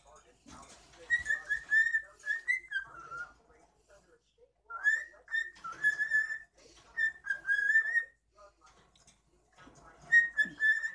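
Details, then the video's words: Pet cockatiel whistling indoors for the camera: a run of clear whistled notes near one pitch, some sliding up or down, given in bursts of several notes with short pauses, mixed with soft chattering talk-like sounds. "whistling for the camera"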